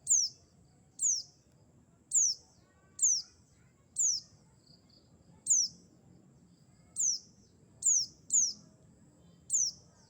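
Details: Mountain white-eye lure call used for trapping: sharp, very high, downslurred whistled chirps, each brief and clean, repeated about every second with a few quicker pairs, over a faint low background rumble.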